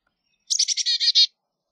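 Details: Carolina chickadee giving a quick chick-a-dee-dee-dee call, a rapid string of about seven buzzy, harsh notes in under a second, the last ones louder; silence around it.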